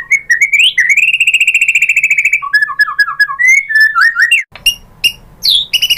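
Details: White-rumped shama lure song to provoke singing: rising whistles leading into a long steady buzzy trill, followed by rapid tumbling falling notes and sharp high calls after a short break.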